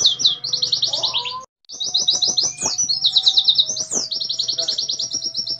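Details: Oriental white-eye, a kept bird singing in the fast 'nembak' style with tight pauses: rapid runs of high, slurred, buzzy notes repeated in quick bursts, a brief silent break midway, faint low hum beneath.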